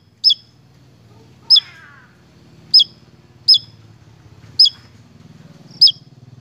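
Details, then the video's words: Lively Javan tesia giving single sharp, high chips with a downward twist, spaced roughly a second apart, over a steady low engine-like hum. "PANCINGAN SEJALUR TESIA JAWA GACORR"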